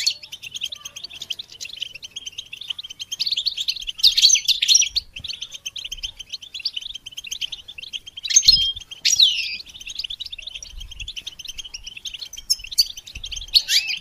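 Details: Goldfinch song for songbird training. A long stream of high, rapid twittering runs without pause, with occasional louder bursts of slurred whistled notes and rising-falling sweeps, plus faint low knocks.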